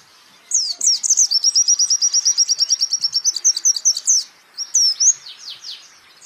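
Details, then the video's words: High white-eye song from a songbird training recording: chirps leading into a fast, even trill of repeated notes lasting about three seconds, then a few separate sweeping notes fading out. "pleci Jawara Pake Masteran ini jamin Geter-GETER!!!!!"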